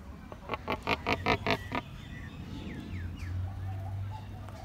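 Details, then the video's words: Bad-tempered pelican at Featherdale Wildlife Park: a rapid train of about seven coarse, throaty pulses lasting under two seconds, followed by faint chirps from other birds and a low background hum. "Bad Mood Pelican"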